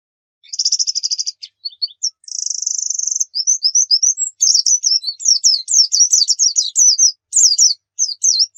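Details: White-eye lure song: a rapid buzzing trill, short chips, another long even trill, then a lively sequence of quick high twitters and downslurred notes.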